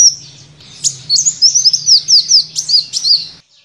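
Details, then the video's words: Sunbird song recorded for training songbirds. It opens with a thin high tone, then a quick run of sharp, piercing notes that dip and rise, delivered in a hurried twittering sequence for about three seconds over a faint low hum. "Masteran burung Kolibri"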